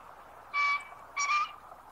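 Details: A green pheasant in central Hyogo (Kita-Harima), Japan, on a post-rain afternoon, 17 April 2021, takes its wing-drumming posture and gives its loud, harsh two-note crow, two hoarse blasts about half a second apart; other pheasants call nearby.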